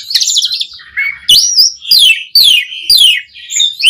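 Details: Asian pied starling in full varied song, recorded as a master track for training captive starlings: a rapid sequence of buzzy, rattling notes followed by repeated sharp descending whistles, each separated by brief pauses.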